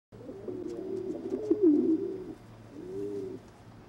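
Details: Frill pigeons during mating: a low, rolling, throaty coo lasting about two seconds, then a shorter second coo, with a steady low hum behind.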